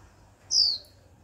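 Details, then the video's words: One 'chíu' from a young female Japanese white-eye kept as a cage bird, a call used to excite males into song: a single bright, high whistle gliding downward, lasting about a quarter second. "Khuyên mái tơ chíu liên tục kích bổi líu ngay!"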